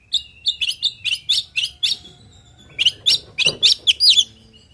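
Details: Oriental magpie-robin pouring out a rapid 'isian' song to get other birds answering: a fast stream of sharp high chirps and slurs at a steady tempo, then a pause and a second faster, more scratchy run.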